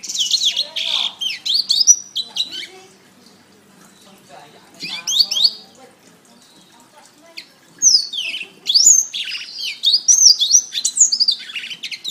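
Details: Canary song recorded as a master track for training cage birds, best used in the morning or afternoon: bursts of high, rapid sweeping whistles and trills separated by quieter gaps.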